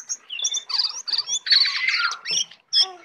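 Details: Brown prinia, tame and singing in full isian style, with a dense scratchy twitter of high chirps and buzzy rattled notes broken by brief gaps.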